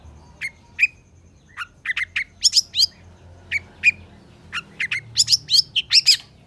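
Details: Long-tailed shrike singing gacor as masteran: sparse sharp chirps and short whistled notes at first, building into quick bright bursts of chattering calls toward the end, over a faint low hum.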